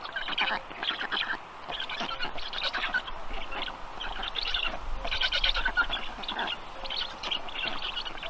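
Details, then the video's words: Young black storks at feeding time on the nest, evening of 15 June 2022; harsh pulsed rasping bursts of about a second each, repeated with short gaps, rising and falling in loudness. "Must-toonekurg2~Dinner for the storklets"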